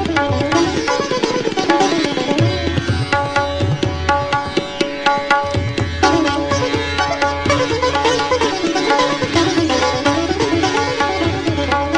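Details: Plucked sitar melody over steady tabla drumming fills the whole stretch, with no animal calls audible.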